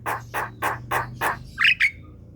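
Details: Javan pied starling (jalak kebo) kept at home: five harsh, coarse squawks at even intervals of about a third of a second, followed by two brighter, squealing notes.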